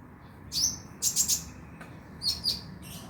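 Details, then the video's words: Van Hasselt's sunbird lure track intended to make a caged bird sing at night; three bursts of high, bright chirping notes, the middle one a quick triple chip, separated by short pauses. "PANCINGAN KONIN AGAR BUNYI MALAM HARI"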